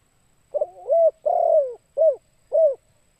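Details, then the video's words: One complete spotted dove phrase for luring birds: a stuttering rolling coo, then a long sliding coo, then two short, evenly spaced mellow coos, all low and hollow, in a quiet setting. "Suara Burung Tekukur Bikin Pikat Bahan Ikut Gacor"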